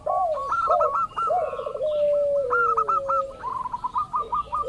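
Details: Local zebra dove played as a lure so rival doves answer: low looping coos and a rattling trill into a long falling note, mixed with many quick, higher hooked chirps repeated throughout.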